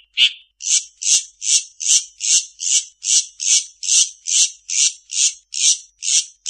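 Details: Long-tailed shrike mimicking other birds, here a steady series of harsh buzzy chattering notes repeated about twice per second, very regular, fifteen in a row.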